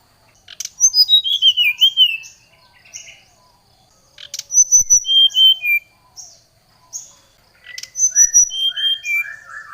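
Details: Oriental magpie-robin singing to challenge a rival: three loud phrases of swooping whistles, level piping notes and short buzzy notes, each followed by a brief pause.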